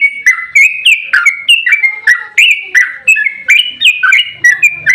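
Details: Yellow-vented bulbul in a fighting mood, singing a rapid 'ropel' phrase used to make other bulbuls respond: loud, clear, bubbling chirps and slurred whistles repeated about three times a second in an unbroken run.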